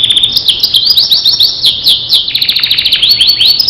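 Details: Canary of the Starblue variety, recorded as training song for other canaries, delivering a continuous fast high trill of rising and falling chirped notes with no pauses.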